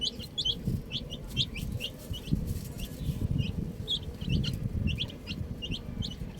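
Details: Baby chicks playing with a ball, chirping in clusters of quick high falling peeps, with rumbling low-pitched handling noise through much of the recording.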